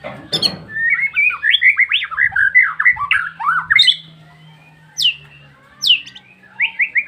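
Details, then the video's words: Bar-winged prinia in the wild: a fast, scratchy chattering series of chirps, followed by a few separate sharp, descending notes and a brief closing trill. "ISIAN PRENJAK"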